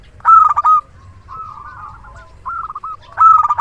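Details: Local zebra dove, a reliable decoy with a big voice, sings a loud stuttered coo burst, a softer purring trill of coos, then another emphatic burst.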